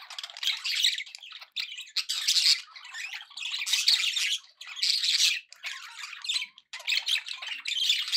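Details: Budgerigars in a happy mood pour out harsh, buzzy warbling in loud bursts about a second long, broken by short near-silent gaps.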